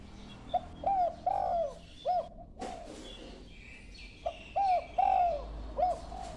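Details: A young dove rehearses its voice with two phrases of short, low coos, the middle notes longer and arched, separated by a loud knock and a faint high twitter.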